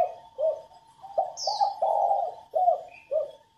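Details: Female spotted dove cooing, used to prompt newly caught males to start cooing. About six low soft coo notes, short then a long swelling one, then short again. A high slurred chirp and a faint constant tone sound behind it.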